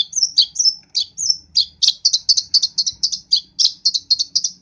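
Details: East Javan long-tailed shrike in energetic, chatty song: high whistled slurs at first, then a rapid string of sharp, bright chirps about four per second, loud and clear against a quiet background.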